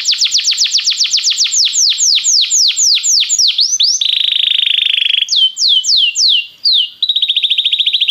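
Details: Singing Belgian canary, played to warm up canaries: a long run of rapid downslurred whistles, a buzzy trill, slower slurred notes, then a fast high rattle.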